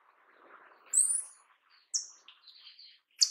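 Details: Paradise tanager with a series of four sharp, very high-pitched, sibilant call notes, each brief and slurred. Faint softer twittering sits underneath between the notes.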